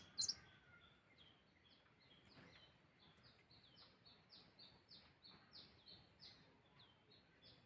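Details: Sunbird call used as a lure for other birds: faint, high, thin chirps repeated roughly twice a second over a steady background hiss, with one brief louder squeak at the start.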